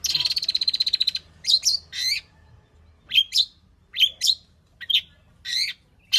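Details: Long-tailed shrike singing its varied mimicry-rich material as a lure for singing: a fast rattling trill opens, followed by spaced harsh, buzzy two-part notes and short rising chirps.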